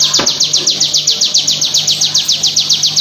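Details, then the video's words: Crystal-type bar-winged prinia in full song, a dense rapid trill of high, sharply falling notes, about four per second, steady and unbroken over constant background noise. "CIBLEK GACOR BREN RAPAT||COCOK BUAT PANCINGAN ATAU MASTERAN ciblek kristal gacor"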